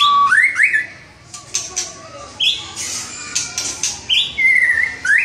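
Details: White-rumped shama in energetic gacor singing: sweeping whistles rising from low to high, a long wavering high whistle, and scattered sharp ticks and crackles between phrases.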